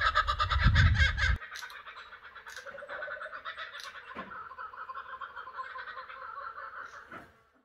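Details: Laughing kookaburras of the Australian bush give a raucous, rapid cackling chorus of harsh, rolling notes after a brief low rumble; the "laugh" is a call to establish territory.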